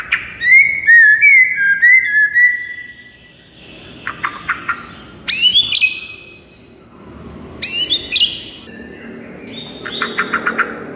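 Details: White-rumped shama singing, used to make a silent shama sing and grow excited: a run of sweet sliding whistles, then clusters of quick chips and high upslurred phrases alternating with rasping, buzzy notes.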